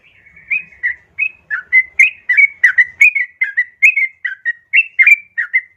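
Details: Female yellow-vented bulbul calling to a male, used as a lure to make caged bulbuls sing: a steady series of short bubbly whistled notes around one pitch, roughly three per second, clean background.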